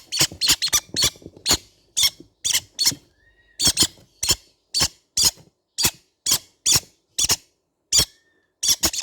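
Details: Harsh, high squeaking from baby green-cheeked conure parrots, notes coming in quick pairs and triplets, then settling into single squeaks about every half second, repeated steadily over nine seconds.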